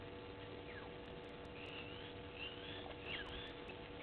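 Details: Waterhole live camera at Gowrie dam, Djuma Game Reserve, Sabi Sand Wildtuin, South Africa, 07:40 on 16 June 2021: an African green pigeon gives soft whistled notes, some level and some bending down, clustered in the second half, over constant hum.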